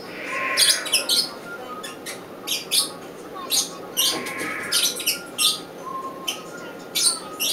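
A northern white-faced owl chick gives harsh, hissing wheezes in bursts every second or so, with faint thin whistles in the background.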